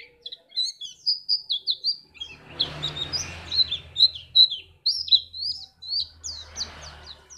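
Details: Lively high twittering song of a Pacitan white-eye, used to prompt other birds to sing for contests: repeated slurred notes throughout, with bursts of low rumbling noise in the background.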